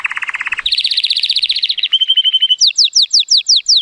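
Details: Timbrado Español canary cock, judged at 83 points and born in 2018, singing in sunshine: a low rolling trill, a higher fast trill, a clipped metallic run, then repeated descending whistled strokes.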